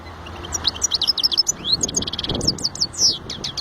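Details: European goldfinch in full song: quick, high twittering phrases mixed with short rising whistles and rattling trills, steady and close, over a faint low background hum.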